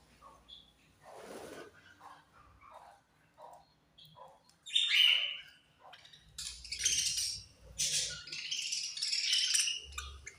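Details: Budgerigars during food time begin with soft, sparse chirps and clicks, then break into loud, rapid, overlapping high chatter.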